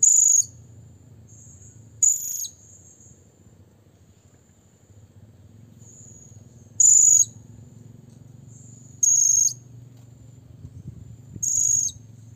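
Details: Blue-crowned hanging parrot calling to a rival, giving five short, piercing high-pitched bursts at uneven gaps of two to five seconds, with a thin continuous high whine and low rumble underneath.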